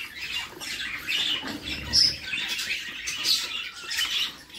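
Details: Begging budgie chicks being fed by the female in their nest box: rough hissing squawks in uneven surges, a few brief high squeaks, and soft low bumps of movement.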